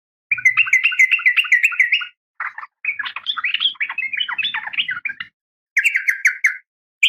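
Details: A female yellow-vented bulbul calls for the male with long, rapid, warbling chatter of bright wavering notes, broken by short pauses and resuming in brief bursts.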